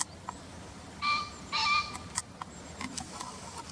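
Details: Harsh two-note crow of a green pheasant from a bird guide recording: paired loud, grating honks half a second apart, followed by scattered soft ticks and faint background noise.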